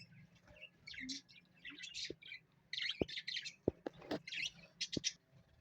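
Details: Pet parrot, shown in an entertaining home moment, gives scattered squawky chirps and harsh bursts in short clusters, with a few sharp knocks or clicks and a low steady background hum.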